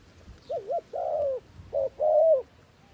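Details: Trapping decoy dove calling down wild doves: two short wavering low coos and a long sustained coo, then the pattern again, with light background rumble.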